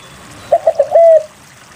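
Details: Spotted dove song intended to draw reluctant doves into singing. A single phrase of three quick clipped notes followed by a held, level coo that fades.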